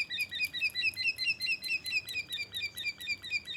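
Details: A black-naped oriole sings with borrowed white-rumped shama phrases, giving high, thin chirps repeated rapidly at a steady, even pace, over two per second.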